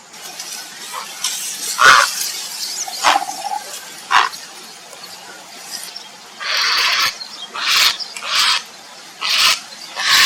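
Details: Grey heron (Ardea cinerea) calling for a mate gives harsh, rasping squawks of about half a second each in an irregular run over the last few seconds, after scattered softer notes.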